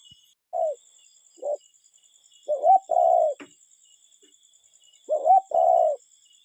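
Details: Cuckoo in nature giving soft, low hooting notes: two single short notes, then a paired phrase of a short curving note and a longer level one, the pair repeated after a pause, over faint steady insect hiss.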